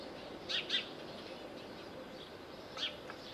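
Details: Little owl calling at Bostonia Village on Corfu, Greece: two quick piercing high notes in a row, then a lone matching note after about two seconds, against soft rural background hiss.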